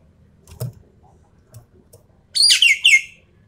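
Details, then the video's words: Javan pied starling singing a full 'tembakan' burst: after near silence with faint low thumps, one brief loud flurry of high, sharply descending whistled notes near the end. "BURUNG EKEK KELING SUARA FULL TEMBAKAN"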